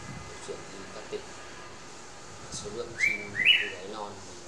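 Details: Unusual 'green' Red-whiskered bulbul, a tame male kept bird in Ba Vì, Hanoi, Vietnam, gives a quick pair of clear whistled notes near the end, the second higher and wavering, after a stretch of quiet talking.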